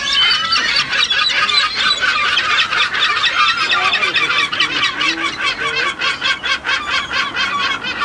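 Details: A crowd of kelp gulls in Chile calling together, harsh overlapping yelps and squeals about two a second, forming a constant raucous din.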